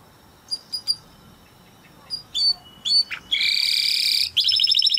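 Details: Timbrado canary in a training recording: scattered soft chirps and short notes over faint background hiss, building into a loud, sustained buzzy roll and then a rapid metallic trill.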